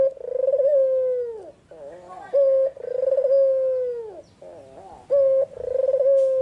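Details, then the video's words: White red-eyed Barbary dove singing in the afternoon, clear and sharp. Long rolling coos sag downward at their ends, separated by soft, wavering murmurs and brief steady notes, the pattern cycling roughly every two and a half seconds. "Suara burung puter putih mata merah full gacor-Nyanyian merdu di sore hari sangat tajam dan jernih"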